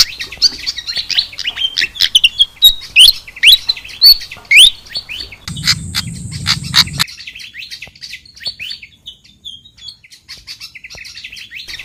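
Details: Pied fantail lure call played to attract wild fantails down: quick, high, sharp chirps and thin rising whistled squeaks, rapid and irregular, roughly one a second, with a brief buzzing hum in the middle and fainter chirping afterward.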